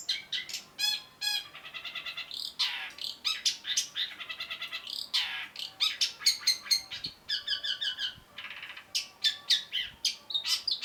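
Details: Long-tailed shrike masteran song: fast chattering phrases of buzzy, ringing notes mixed with sharp chips and trills, delivered almost continuously.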